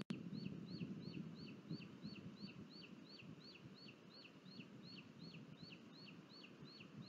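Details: Booted eagle nest in Spain's Sierra de Guadarrama National Park, 23 July 2022, during a food delivery by the male and the chick's self-feeding. A steady run of sharp, hooked, high whistles, roughly three a second. A brief click opens the clip, over a soft low background rumble.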